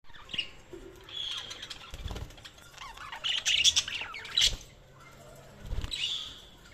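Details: Budgerigars chirping: a busy mix of warbled, scratchy chatter and squeaky notes, bursts overlapping and shifting in pitch, with low thumps and wing-flap sounds throughout.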